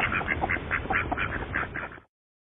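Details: A rescued young Canada goose (Branta canadensis) gosling exploring a backyard gives quick, high peeping calls, about four each second, over a low background rumble.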